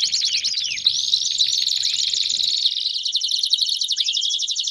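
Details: 'Baderna' canary song meant to stir up other canaries: mixed twittering at first, then a long, steady, rapid high rolling trill with a final rising note.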